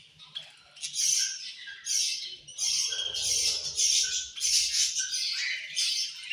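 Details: Budgerigars chirping angrily at food, loud scratchy bursts of high chatter with brief whistled notes, plus a soft low crunching and rustling in the middle.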